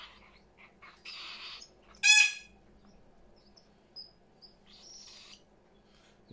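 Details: Pet parrots in a house full of birds: a single loud, harsh squawk with stacked tones, surrounded by quieter scratchy chirps and brief whistles in a quiet room.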